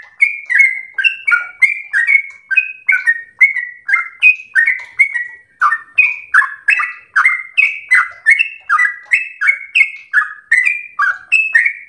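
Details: Sooty-headed bulbul in nonstop 'gacor ropel' song, meant as a master recording for home-kept birds: rapid runs of bubbling, downward-slurred notes, alternating higher and lower phrases, continuing for the whole stretch without pause.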